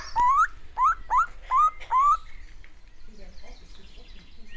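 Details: Crimson rosella at a bird zoo in Denmark, 11 July 2021, calling to a person: five clear rising whistles in quick succession over about two seconds, followed by soft chattering and quiet background sounds.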